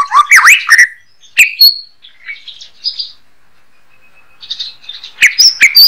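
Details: Murai batu, the white-rumped shama, singing as a master model for songbird training: loud slurred whistles and sharp chips open, a pause with soft warbles, then another burst of bright, varied notes.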